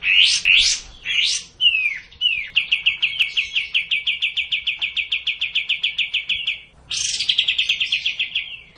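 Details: Sooty-headed bulbul song played to coax a quiet bird into singing steadily: two sharp upslurred whistles, a falling note, then a long even trill of rapid buzzy notes, a pause, and a second bright trill.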